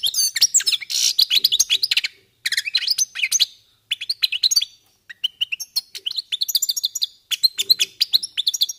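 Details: Several European goldfinches warming up their song: rapid, high liquid twittering with tinkling notes and short buzzy trills in bursts, broken by brief pauses around two and five seconds.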